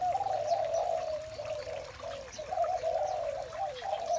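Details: Spotted dove in the morning gives a steady run of soft, rolling, low coos. The phrases flow into each other with slight wavering rises and dips, and the calling barely pauses.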